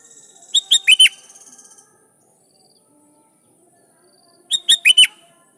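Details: Sooty-headed bulbul in vigorous song, calling rivals so wild bulbuls respond: a quick phrase of three to four bright, slightly descending notes, repeated after about three and a half seconds.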